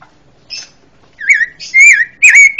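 Red-billed Leiothrix song: a few thin high notes, then three loud, clear warbled whistles rising and falling, each under half a second.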